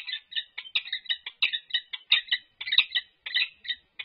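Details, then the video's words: Courtship display of a resident peregrine falcon pair at UC Berkeley: continuous, scratchy chattering calls, quick raspy notes following one another almost without a break, about ninety per minute. "Annie and Grinnell Courtship Display"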